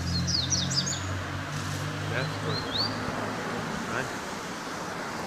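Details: Double-collared seedeater singing in the "tic tac" style, from a breeder in Jaboticabal, São Paulo, Brazil: a quick burst of sharp, high, down-slurred whistled notes in the first second, then a few thin slurred notes later, over a steady low hum.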